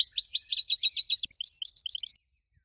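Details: Prize-winning goldfinch singing, its song offered for training other birds: fast rattling runs of high, bright twittering notes, then a looser string of clipped chirps, all clean with no background sound.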